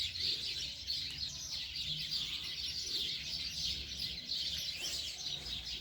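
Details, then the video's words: A flock of birds begging their owner for food with a steady, crowded wash of shrill, fast chirping, many voices layered together, with faint low rumbling beneath. "Birds calling my dad for food"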